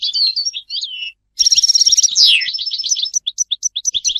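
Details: Lively goldfinch song: twittering notes, a buzzy trill, a sharp descending slur, then a string of quick clipped chirps repeated several times per second.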